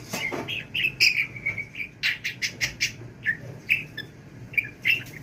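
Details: Pet budgie babbling as if speaking nonstop, a fast run of rasping, clicking syllables and short whistled squeaks delivered in quick regular pulses.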